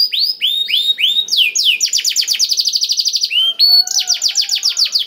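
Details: Black-throated canary singing, played to prompt other canaries to sing: a few slow rising-falling whistles, then rapid buzzy trills of repeated downslurred notes that change speed and pitch.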